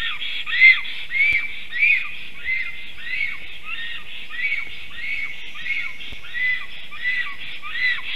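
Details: Female black stork singing near a long-used nest site as the male looks on, 18 May 2023 around 11:40 am; quick series of short downslurred whistled notes, evenly repeated roughly twice a second, in a quiet setting.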